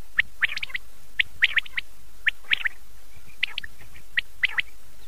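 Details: Common quail heard at night on an old cassette: quiet groups of two or three sharp chirped notes repeated about every second, faint against a low background rumble and hiss.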